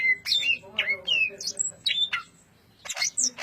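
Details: Cucak ijo, the greater green leafbird, sings tightly packed ngentrok phrases: bright whistled slurs, quick upward and downward sweeps and clipped chatter, a short pause, then more sharp, varied notes.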